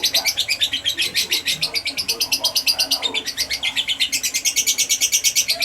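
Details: Fighter-type lovebird chatter used as a lure to draw replies from other birds: fast, shrill, pulsing chirps repeated roughly three times a second, unbroken and insistent throughout.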